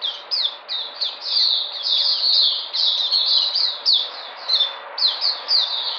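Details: Recovering white-eye recorded 13 February 2020 gives quick high twittering phrases, the notes dropping in pitch, roughly two a second, strung into a busy warble.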